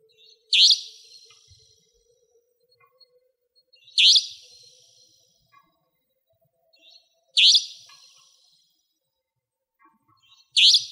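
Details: Repeated harsh buzzy calls of a Savanna nightjar, a nocturnal territorial bird of Pingtung County, Taiwan: four sharp, high, scratchy notes about every three seconds against a quiet background.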